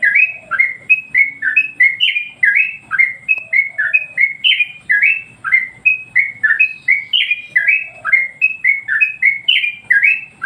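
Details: Master song from a Yellow-vented Bulbul, used to excite other birds: ten seconds of continuous chattering, each note a quick downslur, with a faint lower twitter now and then behind it.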